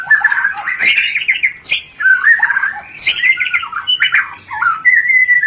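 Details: Rencetan call of a white-rumped shama, played to arouse breeding desire: dense, scratchy chattering with quick slurred whistles, broken by a few short pauses and sharp high ticks.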